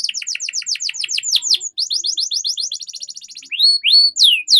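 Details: Tutor song of a canary, played to lure young birds into singing: rapid series of sweeping downward high notes, shifting into quicker rattling trills, then loud clear whistled phrases at the end.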